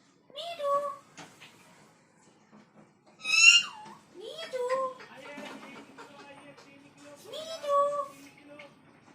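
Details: Pet parrot talking indoors, saying "Mitthoo Mitthoo" and making funny dog-like sounds: squeaky, rising, harmonic syllables in short bursts about every three seconds, with a faint low hum between them.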